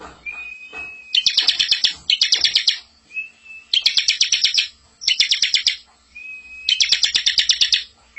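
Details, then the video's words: Master song of a bar-winged prinia for teaching young birds: a steady thin whistle, then quick bursts of rattling, chattering notes separated by short pauses, with whistles leading into several bursts. "masteran ciblek super gacor full isian ngerol cocok buat pancing ciblek muda"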